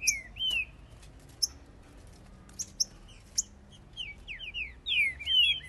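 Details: In Brazil in 2021, Green-winged saltators (Saltator similis) in a singing contest trade loud, clear whistled phrases, several birds overlapping in bright rising and falling notes with little background noise.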